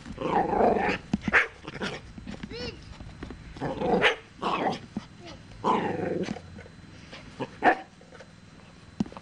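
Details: Sulphur-crested cockatoo imitating a dog's bark: raspy, growly barks and short yelps in uneven bursts, with a few squeaky tonal notes between them.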